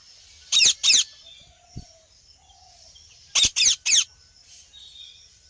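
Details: Ringneck parrot calling with loud harsh squawks, a pair of notes then a trio about three seconds later, a soft whistle heard in the gap.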